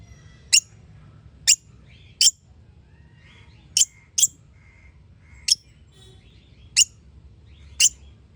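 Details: Sharp, piercing high chirps from a parrot-family bird, eight short notes spread irregularly over several seconds, some close pairs, with soft whistly traces between them and low background hum.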